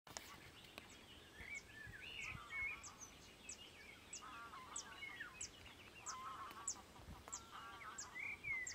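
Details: European bee-eaters at Izliv Soče nature reserve on 1 June 2023, giving liquid, rolling prruip calls in irregular bursts, with a steady series of sharp, high ticks and soft background noise.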